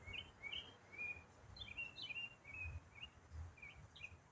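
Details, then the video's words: Lone autumn songbird in the middle of a continuous, minutes-long complex song: lively twittering of short bright notes and quick trills, varied in pitch, with soft low background rumble. "Autumn Songbird - What bird sings one complex riff for 8 minutes non-stop?"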